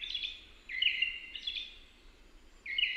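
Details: American robin giving bright whistled phrases, three slurred notes with a short gap before the last, over low background hiss.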